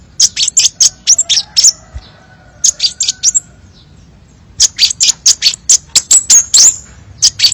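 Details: Crimson sunbird, varied tutor song for songbird training: fast series of piercing high chirps, a short lull with faint softer tones, then a longer run of rapid sharp notes.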